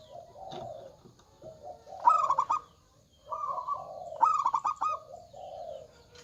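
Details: Loud local zebra dove singing eagerly: soft lower coos lead into bright, stuttering bursts of quick pulsed notes, the phrase repeated twice over about six seconds.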